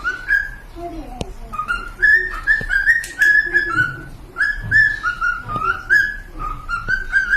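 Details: Pet cockatiels singing: a string of clear whistled notes rising and falling in a tune-like phrase, with quieter low warbles and occasional taps in the background.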